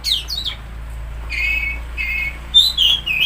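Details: Oriental magpie-robin song meant to stimulate a silent or stressed bird: sharp descending whistles, then level sweet whistled notes, ending in bright high fluttering phrases, over a low hum.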